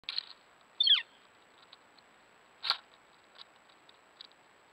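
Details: A lesser goldfinch in Sioux County, Nebraska, on 30 August 2022 at 5:28 pm gives a bright, falling whistled note, followed by a few soft high chips; a sharp click cuts in midway.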